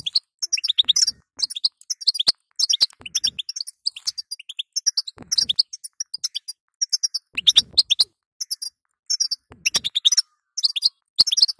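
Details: Calls of a female European goldfinch meant to stimulate a weak male: dense high-pitched twitters and chirps in rapid clusters, interrupted by sharp clicks and soft knocks.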